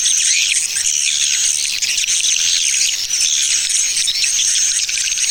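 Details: Swiftlet attraction call in the Tarik Permata style: a crowded, buzzing chorus of sharp high chirps, with drawn-out thin whistles sliding across it now and then.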